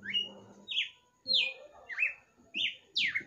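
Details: Red-cowled cardinal kept at home, singing late at night: a steady run of six loud whistled notes, each dropping quickly in pitch, several per second, over faint low room noise.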